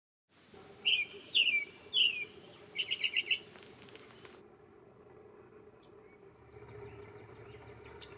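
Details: Yellow-rumped Warbler on a mid-April morning bird walk at Shawnee Prairie Preserve, Ohio: three sharp, high chips about half a second apart, then a quick stuttered burst of four or five notes, over a low steady outdoor hum.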